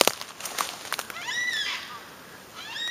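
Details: At Cathedral Rocks, two adult Yellow-tailed Black Cockatoos with a youngster on the ground give warning calls at an approaching person: two harsh, drawn-out wailing screeches, each rising then falling, about a second apart, after some clicks and knocks.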